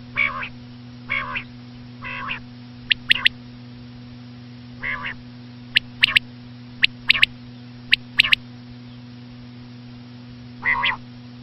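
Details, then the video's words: A female common quail gives short, nasal, slightly buzzy notes in loose pairs and triplets, with sharp clicks between them and a steady low electrical hum throughout. "common quail.quail sound effect.batair ki Awaz.Звук самки перепела.صدای بلدرچین ۔.बटेर की आवाज"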